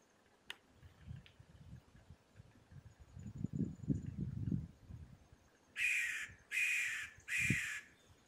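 A green-barred woodpecker gives three loud, harsh, rasping notes about a second apart, after a stretch of low wind-like rumble and a sharp tap.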